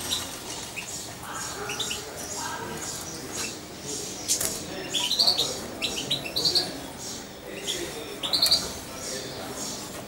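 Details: Young European goldfinch about two months old, hand-reared on syringe feeding and kept close to its owner, gives sparse high thin chirps in small clusters, with soft indoor background noise.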